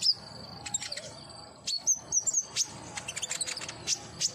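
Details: Common iora, caged, whose song is played to encourage singing: high piercing whistles and clipped chirps come in irregular groups, some notes sliding upward, over a constant low hiss.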